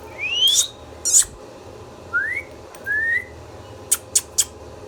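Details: Pet Indian ringneck parakeet giving rising slurred whistles alongside short harsh squawks at the start and three quick sharp clicks near the end.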